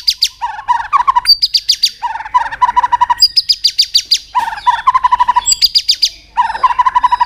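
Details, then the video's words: White-rumped shama singing hard to stir rivals, with continuous clicking: repeated phrases alternating a fast mid-pitched trill with bursts of sharp high pulsed notes, three cycles in quick succession. "chòe lửa tạch đập liên tục"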